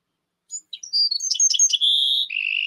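Bewick's Wren song: a few high thin introductory notes and quick buzzy chips, then a long bright buzz dropping into a lower rattling trill.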